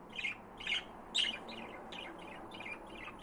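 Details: Pet budgerigars chirping indoors: quick, scratchy warbled chirps and squawky notes tumble out in irregular bursts, about two per second, with a few louder accents near the start.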